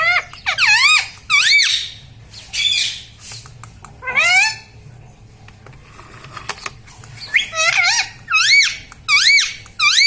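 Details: Pet parrot talking indoors, saying words such as mummy: about a dozen distinct, wavy, speech-like syllables in clusters, each bending up and down in pitch, with brief quiet gaps and light hum.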